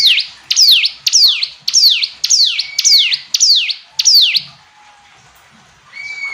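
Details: Hill prinia singing a quick run of eight shrill, downslurred notes, roughly two each second. A quiet pause follows, then a soft thin whistle.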